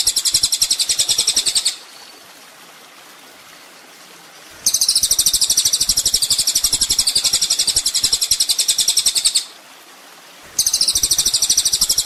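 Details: Ninja sunbird on a master recording for training songbirds: three long bursts of high, rapid, sizzling trill separated by quiet gaps of about one to three seconds.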